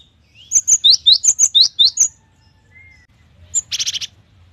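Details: Gelatik batu (Cinereous tit) in full song: around nine crisp upslurred chirps in rapid succession, a soft thin whistle, then a short harsh buzzy rattle.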